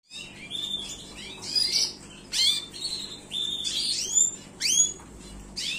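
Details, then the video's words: Gloster canary singing: separate sweeping upward and downward whistled notes, high and bright, with short pauses between phrases and a faint hum beneath. "تغريد كناري جلوستر"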